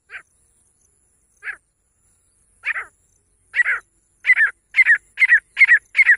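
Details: Grey francolin female voice: rough, squawking notes starting slow and isolated, becoming doubled and faster, ending in a quick, regular series of paired harsh calls.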